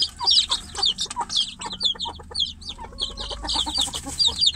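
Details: Chicks in a cage call for their mother hen outside. Scattered high, falling peeps come in uneven clusters, mixed with a run of lower clicking knocks and a faint hum.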